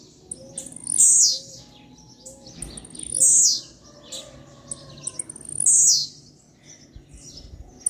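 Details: Three loud, high, buzzy phrases from a captive-bred blue-black grassquit, each a quick downward-sweeping burst, spaced roughly every two to two and a half seconds. Soft whistled notes from other birds run underneath.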